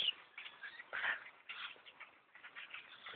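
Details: Flock of thousands of black birds, described as like miniature crows about the size of a dove, overrunning a tree stand; a dense babble of squeaky, grating calls rises and falls.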